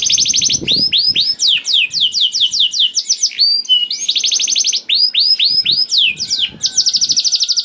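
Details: Canary song played to coax reluctant canaries to sing: dense buzzy rolls alternating with phrases of repeated upswept and arched whistles, loud and continuous throughout.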